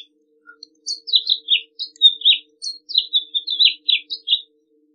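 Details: House finch singing a long, fast warble of slurred, twisting high notes that rise and fall, ending in down-slurred chirps, with a faint low hum underneath.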